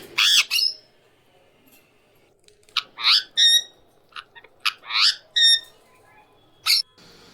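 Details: Indian ringneck parrot original voice: scattered harsh squawks and short clipped notes, several in a quick cluster around the middle, over a quiet background.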